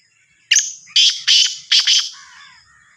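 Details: Black francolin of the Sindhi type, from Sahiwal: five harsh, scratchy notes in quick succession, with the final pair paired tightly, followed by faint trailing chirps.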